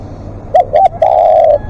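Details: A single phrase from a spotted dove calling long as a live decoy: a pair of short bubbling coos followed by one extended steady croo.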